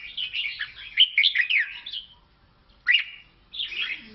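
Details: Red-whiskered bulbul of Laos pours out a dense, babbling warble, then gives a single loud upslurred note after a pause and a final tumbling phrase.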